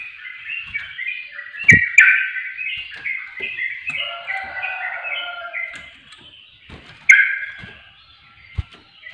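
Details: Rapid, bubbling warble of a sooty-headed bulbul, notes tumbling at varied pitches, with a low droning strand midway and a couple of sharp clicks. Played to provoke reluctant birds.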